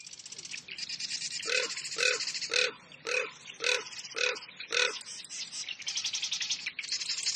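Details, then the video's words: Common raven in Eastern Oregon wetlands in spring: seven deep, hoarse croaks at an even pace, roughly two per second, over a continuous background of high-pitched hiss. "Raven (Corvus Corax) Call"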